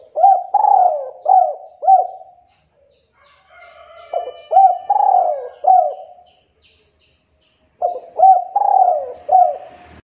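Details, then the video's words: Spotted dove calling to provoke rivals into answering: three bouts of about four mellow, hooting coo notes each, with a drawn-out falling middle note, separated by short pauses and faint background tones. "PANGGILAN PANCINGAN SUARA TEKUKUR DERKUKU DERUK GACOR"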